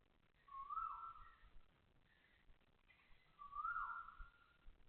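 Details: Two loud whistled calls of an Asian koel at Toa Payoh Lorong 8, Singapore, at 6:30 am on 20 October 2025, each swelling and rising then trailing off, with faint background hum.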